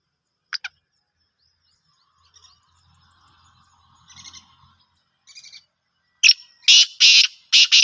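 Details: Black francolin (kala teetar), Gangas strain, held in a cage: faint scattered chirps and a low murmur, then a loud rasping phrase of a sharp tick followed by three harsh, grating notes.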